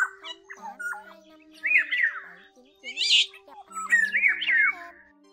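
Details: Oriole call used as a lure for net-trapping migrating orioles in Vietnam in August gives two fluty, rolling whistled phrases with a harsh rasping note between them, over a steady low electrical hum.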